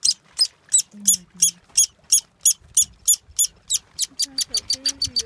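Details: Woodpecker pair feeding their young along a trail near Moraine Lake, Banff National Park, Canada: a steady series of high, sharp rasping notes about three per second, quickening toward the end, with soft lower murmuring sounds beneath.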